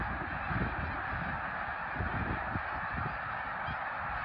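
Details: Snow geese at Middle Creek in 2022, a huge flock calling together in a dense, continuous roar of overlapping nasal honks with no single voice standing out; low rumbling noise underneath.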